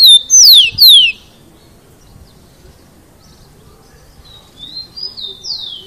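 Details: Rufous-collared sparrow song opening with a short whistle followed by two loud steeply descending slurred whistles, a quiet pause, then softer high whistled notes near the end.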